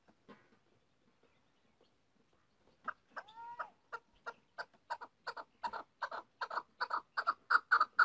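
A female chukar gives a run of dry, clucking chuck notes that speed up and grow louder, about four per second, after a few quiet seconds.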